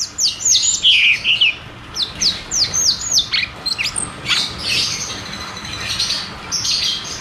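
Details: Lure song of the cucak cungkok, ngeroll tembak style, meant to restart singing in caged birds: sharp downward-sweeping whistles repeated about every third of a second, then denser high twittering.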